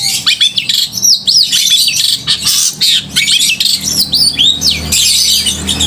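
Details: Loud, clear-voiced long-tailed shrike singing to stir emotion and mating urge in other shrikes; bursts of high squeaky chatter, looping whistled slurs and quick trills pour out almost without pause.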